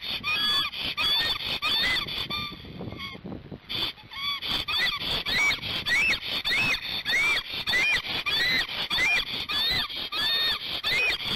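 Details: Male Black stork alone on its nest in Gemenc, Hungary, after the female left, excited and upset while defending the nest, filmed by a nest camera at 12:30 on 15 March 2019. Loud, repeated whistled, arching notes, with sharp clicks and a short lull.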